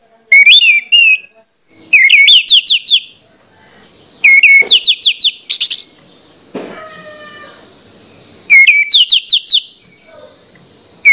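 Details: Orange-headed thrush lure song, loud and insistent, used to provoke other orange-headed thrushes to sing: repeated phrases of quick rising whistled slurs in rapid series over a steady high hissing background drone, with a few sharp clicks between.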